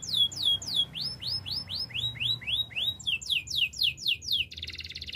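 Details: Training song of a Spanish Timbrado canary: clear down-slurred whistles repeated about four times a second, shifting in pitch between phrases, closing on a short dense buzz.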